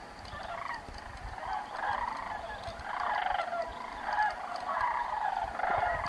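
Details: Sandhill cranes on a thermal during their journey north for the summer, Bandelier National Monument; a chorus of slightly softer, rolling trilled calls builds steadily over six seconds with several overlapping voices.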